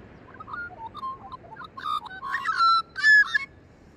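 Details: A magpie sings a rich warbled phrase, low fluting notes building into louder, harsh-edged bursts and two strong bright whistled notes near the end.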